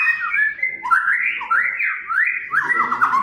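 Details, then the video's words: Energetic song of a Medan White-rumped shama, full of varied fill phrases, meant to make other shamas sing and get agitated: fluid whistles sweeping up and down without pause, ending in fast descending notes. "masteran,pancingan burung murai batu"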